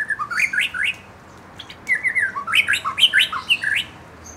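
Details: Wild-caught young white-rumped shama and fledgling provoked into song: two quick bursts of loud slurred whistles and sharp high chips, tumbling up and down in rapid succession.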